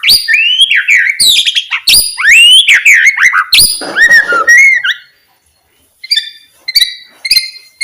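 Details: Loud white-rumped shama song, used to stir quiet shamas to sing: rich swooping whistles and rasping phrases packed together, a pause, then short spaced high chirps.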